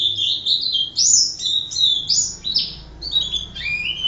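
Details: Oriental white-eye singing vigorously, recorded as tutor song for training other birds: a rapid, unbroken high twittering warble of sliding whistled phrases that rise and fall, with brief bright chirps; faint low hum beneath.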